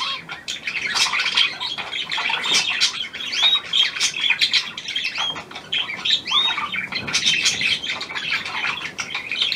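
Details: Australian pied budgerigar, hand-tame, new bird, 17 February 2023: harsh squawky chatter with thin curved whistles near the middle, quieter briefly around the third second, then busy again.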